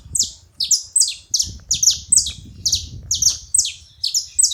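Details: Saffron finch making noise at a feeder: paired, high, down-slurred chirps repeated roughly twice a second in a steady rhythm over a quiet low hum.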